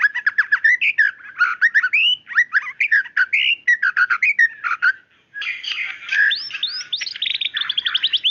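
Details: White-rumped shama female calling the male, delivering choppy whistled phrases and repeated chirps with a short silent gap, then a denser burst of rising whistles and rapid notes.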